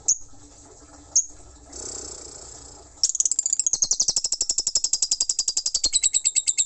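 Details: Lovebird ngekek: a couple of lone high chips over quiet background, then from midway a rapid, continuous rattle of piercing notes, several per second, to the end.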